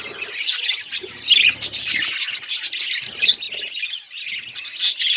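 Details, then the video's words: Pet budgerigars give harsh squawks mixed with quick chirps and warbling, many voices overlapping in a lively, uneven chatter. "Budgies beautiful colours birds chirping sound"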